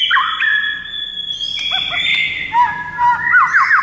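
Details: Murai batu, the white-rumped shama, with a long sustained whistle over quick looping notes, followed by a rapid run of curved, chattering whistles.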